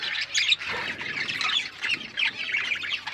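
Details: A group of pet budgies produces harsh squawks and warbling chirps in a rhythmic, busy chatter with repeated louder peaks.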